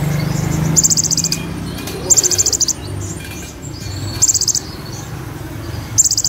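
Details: Energetic olive-backed sunbird (kolibri ninja) delivering rolling shot-like trills that imitate cililin and ciblek: four sharp, rapid, high-pitched buzzy bursts about two seconds apart, with faint thin whistles between them and a constant low hum behind.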